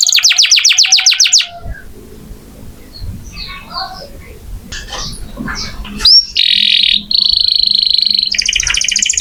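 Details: Canary singing actively as tutor song for oriental magpie-robins: a fast high trill, then several seconds of quieter background murmur and faint sounds, then loud buzzy and trilled phrases resume.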